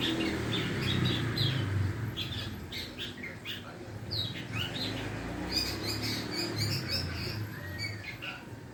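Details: Juvenile long-tailed shrike practising song: rapid run of thin chirps and scratchy twittering notes, some rising slurs, delivered in loose bursts over constant low rumbling background noise.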